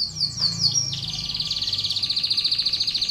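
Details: Canary training song for contest birds: a few quick downward-sliding notes over a low hum, then a steady, fast pulsing trill that runs to the end.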